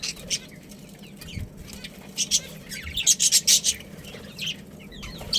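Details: Budgerigar pair kept for breeding: scattered chirps, then a fast series of about six loud, harsh chirps, then quieter twittering.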